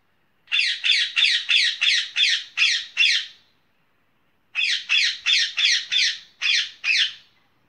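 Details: Green rose-ringed parakeet giving two fast bursts of shrill, rasping screeches, about eight calls each, roughly three per second, with a silent gap of about a second between the bursts.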